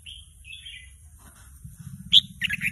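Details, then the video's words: Young red-whiskered bulbul trying out song, stirred by a played call: two soft whistled phrases early, then a loud sharp note and a rapid chattering series at the end, with low rumbling noise underneath. "ลูกนกกรงหัวจุกหัดร้องเบิ้ล ยังไม่เป็นเพลง"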